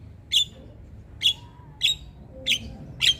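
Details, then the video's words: Harsh, clipped notes from a Javan myna singing hard, used as a tutor recording for other birds: five short, scratchy chirps spaced almost a second apart over quiet, low background noise. "Jalak Kebo gacor Tak Kenal Waktu Bikin Ribut Burung Lain Ikut Bunyi"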